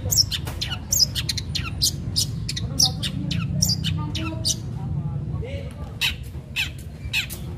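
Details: Long-tailed shrike in busy, sharp song used to provoke other shrikes to sing, a dense stream of scratchy, chattering notes and harsh bursts with faint low background noise.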